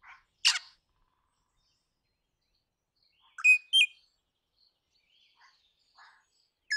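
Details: Crimson rosella giving a few sharp, loud, clipped notes separated by long pauses, with faint softer chirps in between.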